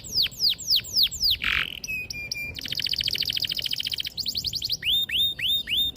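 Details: Canary song for teaching young canaries: repeated downslurred whistles, a harsh burst, then a rapid rolling trill and upswept whistled notes.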